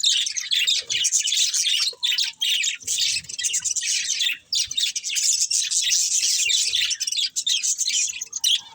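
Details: Budgies keep up a nearly unbroken stream of high scratchy chirping and warbled chatter.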